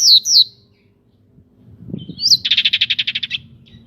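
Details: Local pied bushchat singing with wings spread, used to provoke other birds into singing: two high down-slurred whistles, a pause, then a fast rattling trill of about a dozen buzzy notes.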